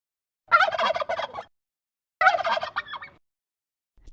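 A turkey gobbles twice, each a rapid, rattling, bubbling burst about a second long, with a pause between; nothing else is heard.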